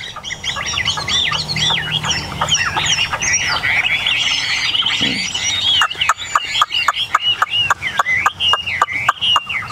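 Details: Caged Chinese hwamei, bird number three of eight tame birds, singing strongly: fluid looping whistled phrases, then a stretch of sharp, evenly repeated clicks mixed with song notes toward the end.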